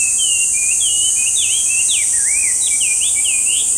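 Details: Chinese hwamei, brown with white eye-ring stripe, a noisy park singer; clear loud whistled phrases, swooping down and up in quick succession, rich and varied, against a steady high background hiss.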